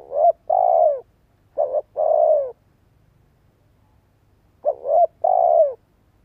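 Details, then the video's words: Spotted dove used as a decoy, cooing so other birds answer. Three phrases in quick succession, each a short stuttered double note and then a drawn-out low coo that slips downward at the end, with near silence between them. "Tiếng chim cu gáy mồi cây giọng hay hạp bổi - Chim nghe là gáy. Mở lên chim non nghe nhanh gáy."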